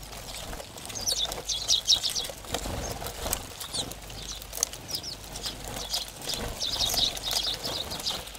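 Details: A late-autumn flock of house sparrows at a ground camera in Recke, Germany, December 2019: clustered, twittering chirps in two bursts, around the second and seventh seconds, over steady pecking clicks and wingbeats.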